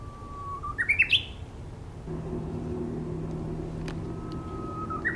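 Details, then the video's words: Singing bush warbler giving one full phrase: a sustained plain whistle, then a rapid rising burst of clear notes. It starts a second phrase at the end. A constant low mechanical hum fills the background from the middle on. "휘파람새 울음 소리 1시간 Ver | Bush warble Song"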